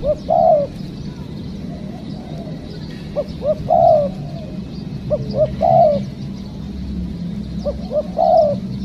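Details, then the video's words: Spotted dove coos recorded while trapping wild birds. Four repeated phrases, each of two short, clipped hoots followed by a sustained, gently falling coo, spaced about two seconds apart over a low steady drone. "Mikat Tekukur,, Ajaran.. Poin ke2 dapat kuk2..."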